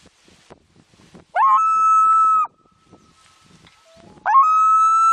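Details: Nesting common loon mother sounding an alert at something out on the lake as her second chick hatches, July 2023; two loud calls, each sweeping up quickly then holding a steady, sustained tone for about a second, with a quiet gap between.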